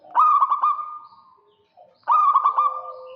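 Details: A singing local zebra dove luring a rival gives two loud phrases of rapidly pulsed, trilling coos at a steady pitch, separated by a brief near-silent pause with faint soft notes.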